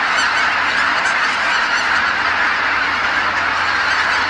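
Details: Huge flocks of geese flying back to roost on Kabukuri-numa marsh at sunset, calling in unison; a thick chorus of overlapping honks with a faint low hum underneath.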